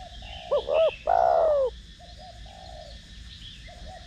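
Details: Cooing spotted dove of the 'thổ đồng' voice type, used to spur decoy doves. One phrase of two clipped notes and a long drawn, downward-sliding coo, then softer low coos.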